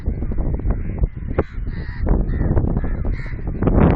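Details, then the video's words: Crows flocking near Sindhrot check dam call in short, rasping caws, several voices overlapping, partly buried under heavy low-pitched wind buffeting. "Crow bird group caw call sound effects near Sindhrot check dam, कौवे की आवाज"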